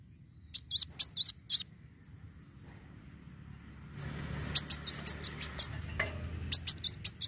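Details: Sunbird (kolibri wulung) giving a lively fighting song meant to stimulate other birds to sing: short bursts of very high, sharp chirping notes, a quiet gap with a thin whistle, then more rapid high chirps near the end.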